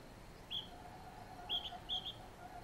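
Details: A male Oriental magpie-robin gives three short, bright whistled notes at uneven intervals, over a faint steady low hum.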